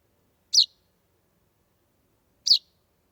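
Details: Two brief, high-pitched chirps about two seconds apart come from a chaffinch fledgling on a doorway threshold on a warm summer evening, 16 July 2020, in otherwise quiet surroundings.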